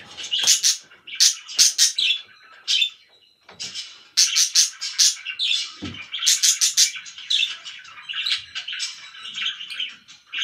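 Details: Very loud pet budgerigars: bursts of shrill chirps and squawks separated by brief quieter gaps, then busy warbling chatter toward the end.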